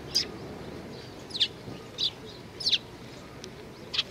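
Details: Sparrows coming to be fed at a Tenmangu shrine on 25 April 2019: sharp high chirps, single or doubled, spaced about a second apart over steady low background rumble.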